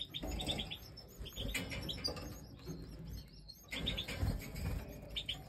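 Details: Goldfinch chicks begging while being fed during breeding, Major type European goldfinch; bursts of quick high twittering chirps in two clusters separated by a pause, with low thumps and rustling.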